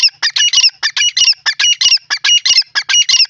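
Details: Calling male grey francolin giving loud, shrill, high-pitched phrases of quick grouped notes, repeated in a steady rhythm about every half second throughout, over a quiet background.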